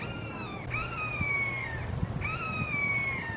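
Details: In a Florida backyard, red-shouldered hawks, three birds, give long, emphatic calls: two extended, harsh, slowly falling screams, each over a second long, with light low-pitched background noise.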